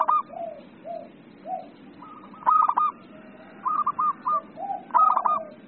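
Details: Local zebra dove, described as in strong singing form, with other zebra doves answering: soft low cooing notes mixed with clusters of higher, rapid stuttering coos from more than one bird, over a steady low background hum.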